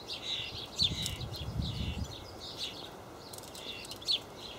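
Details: Young house sparrow in a Hamburg allotment garden, 30 May 2012, recently fledged from an abandoned (bat-box) nest, feeding on hulled sunflower seeds beside three young tree sparrows: short, bright chirps scattered irregularly, low wind or handling rumble early on.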